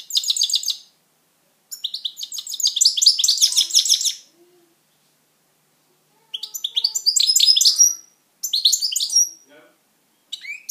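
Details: European goldfinch, a pet bird, in sustained song: long runs of rapid, chattering, tinkling twitters, about three notes per second, in bursts of two seconds or more separated by short silences.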